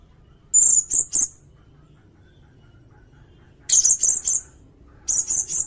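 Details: A sirindet sings for a songbird-training recording, giving three groups of two or three sharp, very high notes spaced a few seconds apart against a quiet background.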